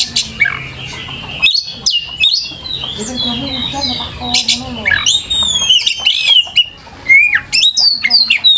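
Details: White-rumped shama song used as a lure: long sustained whistles and rich slurred phrases, followed by high rising and falling whistled notes and sharp clicks, with a low hum beneath.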